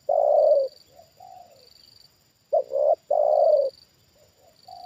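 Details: Trained decoy spotted dove, kept for the bird-luring hobby, reacting as a wild bird is brought down for the second time: deep mellow coos, a long coo, soft short notes, then a quick doubled coo and another long one, faint steady high whine behind.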